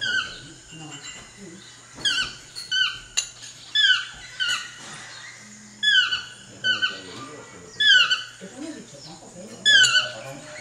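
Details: Yelping calls of a chestnut-mandibled toucan, each note a sharp descending slur, repeated in irregular bursts about every one to two seconds against a soft, steady background hum.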